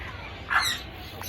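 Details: Grey parrot in Congo, Africa: one short, harsh squawk of about a quarter second near the middle, broad and rough with stacked overtones, set against a steady low background hiss.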